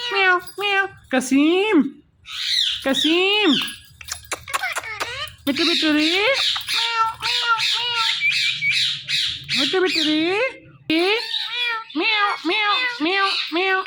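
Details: Male Ringneck parrot looking at himself in a phone, mimicking a cat's 'meow' and talking: a long run of nasal, harmonic meow-like calls, some rising then falling, repeated rapidly with brief pauses.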